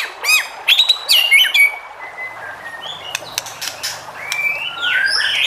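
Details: White-rumped shama song played to provoke other shamas: rich burst of varied whistled and chattering notes, followed by quieter drawn-out whistles and a loud rising whistle near the end.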